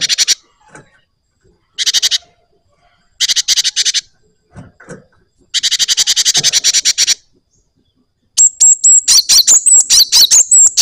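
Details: Java sparrow singing vigorously in a rolling style: several bursts of quick harsh rattling chips, then a stretch of high thin whistles mixed with rapid chips.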